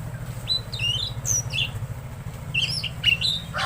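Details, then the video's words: Tledekan Laut in energetic song, delivering scattered high squeaky chirps and short whistled slurs in irregular bursts, with a constant low droning hum underneath. "Masteran Burung Tledekan Laut Gacor"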